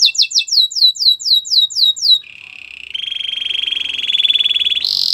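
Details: Belgian canary song meant for training, with two seconds of quick descending sweeps, then a low warbling trill swelling in volume and a sharp high note at the end.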